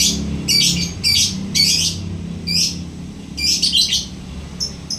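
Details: Lovebird uttering a series of scratchy high chirp bursts about every half second, pausing, then a tighter cluster and two faint closing notes.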